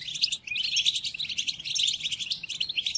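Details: Song of the European goldfinch, played to captive birds for learning during moult: fast, bright, jangling twitter of mixed chirps and buzzes running throughout, over a soft low background rumble.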